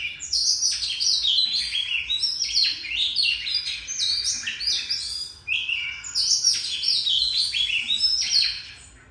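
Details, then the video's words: Oriental magpie-robin in an extended unbroken song of up to fifteen seconds per breath: dense, rich high whistles and warbled notes tumbling on in a varied sequence, with one brief break midway. "Choè than hót dài đếm mỏ 1 hơi tới 15s"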